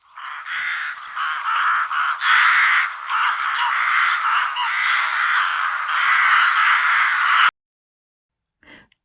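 A rook colony caws in a dense, overlapping chorus of harsh, grating calls for about seven seconds before cutting off abruptly.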